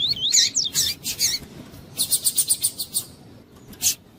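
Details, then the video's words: Double-collared seedeater of the tui-tui song style, with a female calling to stimulate the male: a quick run of high whistled slurred notes, then a train of about eight buzzy notes repeated rapidly, among sharp broadband clicks. "COLEIRO TUÍ-TUÍ COM FÊMEA CHAMANDO ESQUENTAR COLEIRO"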